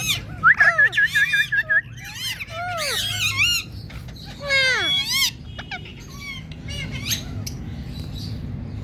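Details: Talking Indian ringneck parakeet starting with a quick series of about eight identical whistled notes, then bursts of warbling, speech-like harmonic chatter that fade into softer calls over a low hum.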